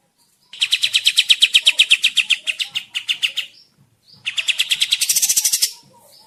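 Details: Kapas tembak bird singing vigorously, a lure sound for forest trapping or tutoring: a long run of rapid chirps that slows and fades, a short gap, then a fresh series climbing into a high buzzy trill.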